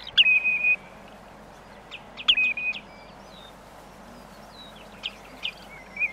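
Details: Common redshank giving close-up calls: clear whistled notes, one held level for about half a second, another near two seconds in, then short faint piping notes; skylark and sheep faintly in the background, insects near.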